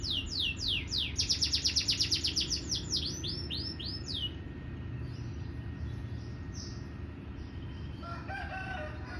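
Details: Canary singing again after a cover change, a fast rolling trill of repeated sweeping high notes for about four seconds, followed by sparse softer notes and a brief lower chattering phrase near the end.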